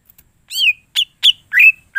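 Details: Greater green leafbird singing: four or five loud, separate whistled notes, some slurred down and some rising, each about a quarter second long, in clear quiet surroundings.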